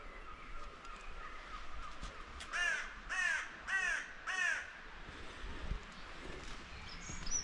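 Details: Seagull chick waiting outside a holiday accommodation's front door early in the morning, giving four loud, harmonic, downward-arched calls in a row about half a second apart, over a quiet outdoor background.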